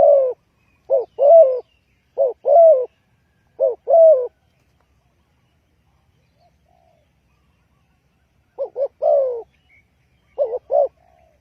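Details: Spotted dove call used as a lure for trapping: low, soft cooing phrases, each a short note then a longer rolling coo, given in quick pairs about every one and a half seconds, with a silent gap mid-clip and no other sounds.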